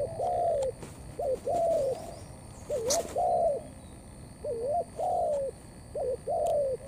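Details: Spotted dove cooing thổ blended with cấn sấm. Distinct paired phrases, a quick rising note then a sustained falling coo, recur every second or two, with one sharp click and steady background hum.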